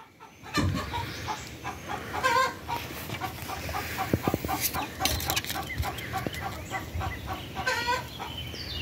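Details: Cochin chickens clucking in a steady run of short, low, repeated notes, several each second, with louder squawky bursts near the start and again near the end, over a constant background hum.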